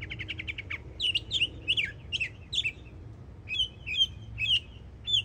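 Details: Young mockingbird singing in Florida: a fast rattled run of chips, then sharp slurred whistles repeated in groups with short gaps, bright and metallic, over low background hum.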